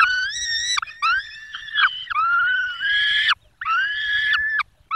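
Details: Peregrine falcons at a nest in Poland's Barycz Valley on 5 May 2022, the male having brought a small bird that the female feeds to the chicks: long, loud, drawn-out harmonic wails, some bending down in pitch, separated by short silences.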